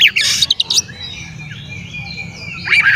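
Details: Oriental magpie-robin song meant to provoke rival magpie-robins into agitation: a burst of sharp, rapid chattering notes opens, then faint background whistling, and the loud chattering returns at the close.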